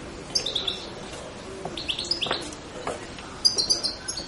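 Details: European goldfinch twittering in short bursts: thin, high, liquid chirps in small clusters separated by brief pauses, with a final bright flurry near the end over quiet background hiss.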